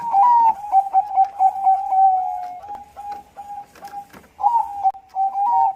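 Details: Bangkok-type zebra dove singing a lure song used to set other doves singing: a run of quick, clipped cooing notes at one steady pitch, some opening with a short rising swoop, in fast bursts, recorded indoors.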